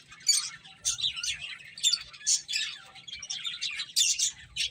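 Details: Several finches feeding, giving a steady stream of high, quick chirps and twitters that overlap in bursts roughly every half second.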